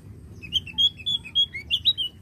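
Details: Javan grey-throated white-eye singing energetically, used to prompt other birds to sing: a quick run of high, thin whistled notes, some rising and some falling, over low background hum.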